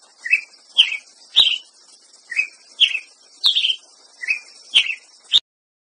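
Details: Ruby-crowned Tanager song: short, slurred, upward-sweeping notes repeated about every half second in loose groups of three, each a little higher than the last, over a steady high insect-like hiss with a few sharp clicks.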